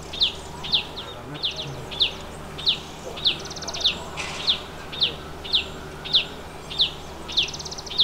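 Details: A Chestnut-bellied nuthatch at its nest hole in the Himalaya gives sharp, high, downslurred notes about every half-second, with a few faster buzzy trills, over a low steady hum.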